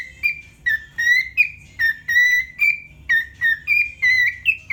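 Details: Cockatiel kept as a pet, singing indoors in a bathroom; steady run of loud, pure whistles, each note held briefly then slightly rising, repeated at an even pace about twice a second, with low background hum.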